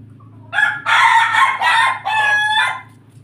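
A Pelung rooster gives a long, broken crow of several loud harsh bursts, rising and falling in a halting, laugh-like rhythm, over a low steady hum.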